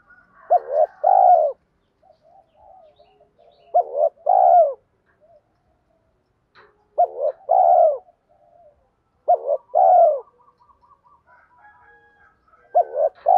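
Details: Spotted dove call meant to attract other doves, repeated about every three seconds: short arched notes leading into a longer falling coo, with quiet murmuring notes between phrases.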